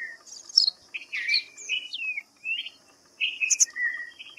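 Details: Clear whistled notes of a white-browed fantail, sliding up and down in pitch and strung into quick phrases, with a faint continuous high drone behind them.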